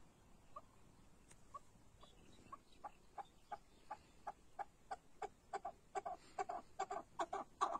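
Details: Chukar partridge calling: short clucking notes, sparse and faint at first, then growing louder and quicker, about two per second toward the end.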